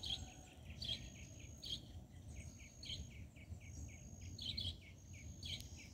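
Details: Double-collared seedeater song in the tui tui zel zel style, used to fire up and train captive birds: a run of short, bright repeated notes, roughly one a second, with louder buzzy accents and a steady low rumble underneath.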